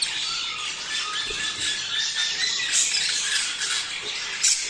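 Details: Captive budgerigars, a sound meant to stimulate breeding: dense, continuous high chattering and warbling with scratchy squawks and short whistled notes, louder bursts near the end.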